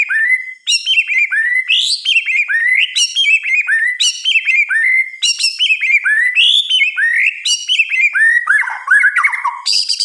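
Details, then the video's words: Continuous night song of a white-rumped shama made of varied whistled phrases. Repeated downslurred notes mix with higher sweeps and a few harsher notes near the end. "Suara Kicauan "MURAI BATU" di Malam Hari"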